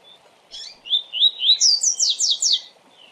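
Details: Double-collared seedeater singing a fast 'tui tui' style song used for training: a few slurred whistled notes rising into a rapid run of bright, descending buzzy strokes, about two seconds long, over a low steady hum.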